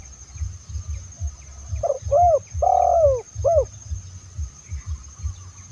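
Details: Spotted dove call used to lure wild doves, from Indonesia: a single phrase of a brief coo, a bent rising-falling note, a long sliding coo, then a short closing note, with a soft regular low pulsing underneath.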